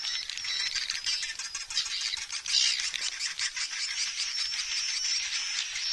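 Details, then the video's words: Swiftlet roosting sound used to attract swiftlets, stereo production; a dense, continuous high chattering of many twittering birds with a thin sustained whistle running through it. "Suara Walet SP&SI"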